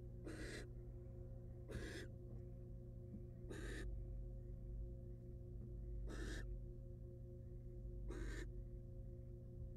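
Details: Female barn owl, wild, at her nest box with eggs after swallowing a mouse; five rasping, noisy hiss bursts at irregular gaps of one to two seconds, with a constant low hum underneath.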